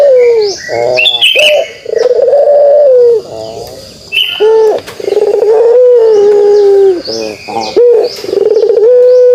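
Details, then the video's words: Sequence of kugeruk phrases from a pelung dove: short sharp coos alternate with rolling pulsed notes and long, even low coos, repeated several times. Other birds chirp sharply at higher pitch in the background. "suara kugeruk burung puter pelung"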